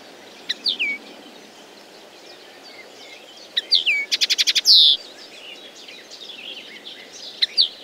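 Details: Common linnet song in bursts: short twittered phrases separated by pauses, one with a fast rattle of even clicks ending in a loud buzzy note, then brief chirps.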